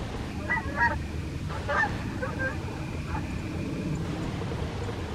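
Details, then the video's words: Wild Canada geese passing overhead in the morning in the USA give paired honks early on, then more scattered honking through the middle, against a constant low hiss and rumble. "Canada Wild Geese flying in the morning - USA"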